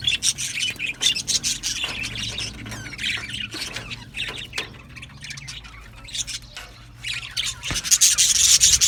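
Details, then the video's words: Australian budgie colony in an aviary, singing and chirping: fast, rasping chatter and squawks from many birds, a quieter stretch in the middle, then a loud dense burst at the end. "Australian Budgies Singing and chirping sounds"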